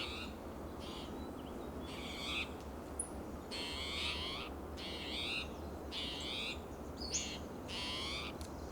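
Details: ['Agitated spotted towhee calling loudly and persistently among coast live oak and Monterey pine in Del Monte Forest, California, on a June morning: harsh, buzzy, mewing notes, about half a second each, repeated in irregular bursts over a steady low hum.']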